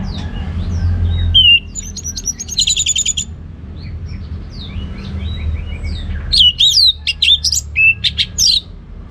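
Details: Orange-headed thrush singing in the ngeplong gacor style: two loud bursts of varied whistled phrases, bright, rapidly slurred notes and high trills, separated by a quieter stretch with faint distant bird chirps and low background rumble.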